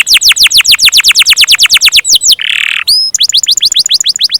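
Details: Canary singing long rolls: rapid runs of downward-sweeping whistled notes, about five a second, broken by a short harsh buzz and two rising whistles before the fast roll resumes.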